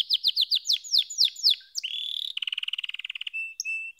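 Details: Singing canary: a run of about ten quick falling whistled notes, then a steady buzzy roll and a pulsed rattling trill, ending with short clear whistles.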